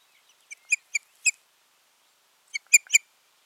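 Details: Pair of ospreys at the nest, recorded 14 June 2019: two tight bursts of three or four sharp, high, whistled chirps, separated by about a second of silence.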